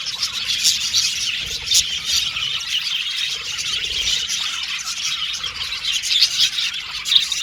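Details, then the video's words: Several budgies chirping continuously, an unbroken stream of high tweets and soft trills, with occasional louder squeaks standing out near the end. "Beautiful Cute Budgies Chirping Sound | Australian budgies Singing sound"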